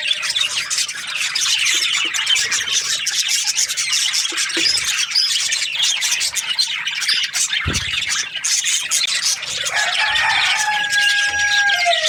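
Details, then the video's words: Budgerigars chirping in the morning: dense, unbroken flock chatter of rapid squeaky chirps, twitters and warbles from several birds, a brief low thump midway, and a clear sliding whistle near the end. "Amazing budgies chirping sounds in the morning"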